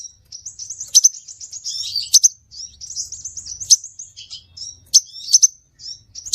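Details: Shrill whistled phrases of a scarlet minivet, used as a trapping lure, with sharp accented chirps about once a second between thinner, slurred high notes.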